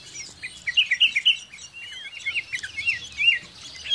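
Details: Sooty-headed bulbul, called cangkurileung in Sundanese, recorded near a dwelling. Quick, bright chirped notes form a lively burst of about a dozen notes, some in even trios, over quiet surroundings.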